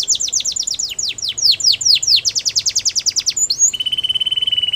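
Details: Canary training song with a fast run of downward-sweeping chirps repeated about five times a second, followed by a high whistle and a long, even buzzy trill.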